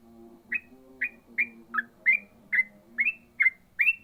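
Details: Yellow-vented bulbul in 'ropel' song: short, bright, slurred chirps repeated about twice a second over a faint low steady hum.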